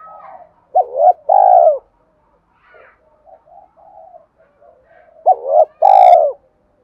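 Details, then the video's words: Two matching phrases from a Spotted dove in the 'Thúc' style used to lure wild doves, each a doubled short note then a long downslurred rolling coo, with faint cooing between and a sharp click on the last phrase. "tiếng cu gáy Thúc cực đỉnh dùng kích bổi rất hiệu quả/ cu gay kich boi nhanh noi gù"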